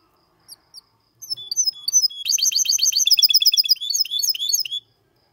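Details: Singing goldfinch x canary hybrid, clean song used to stimulate males and teach young birds; a few sparse high chirps, then a dense run of rapid repeated trilled notes and twittering phrases lasting about three seconds before stopping.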